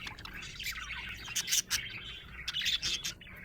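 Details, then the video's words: A happy budgie keeps up a dense chatter of quick chirps and warbled twitters, broken by several sharp, loud clicky squeaks. "Happy budgie chirping sound"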